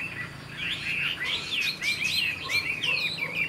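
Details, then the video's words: Young Chinese hwamei from this year's brood, noted as a good singer that flicks its tail, pouring out quick rich whistled phrases with swooping up-and-down notes, moderately loud over a faint low background hum. "Họa mi chuyền năm nay, cực kỳ tố chất, vẩy đuôi khướu, hót tốt"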